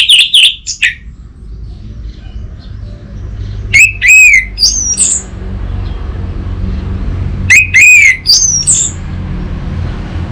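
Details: Orange-headed thrush song serving as a lure and master for untrained birds: three short bursts of rising, slurred whistles spaced roughly three to four seconds apart, with quiet background hiss between them.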